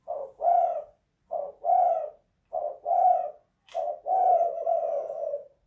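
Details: Spotted dove (tekukur) indoors, 'kuk 2 / guk 1' style: four phrases about a second apart, each a brief coo leading into a fuller, longer coo; the last phrase is extended, with a sharp click before it.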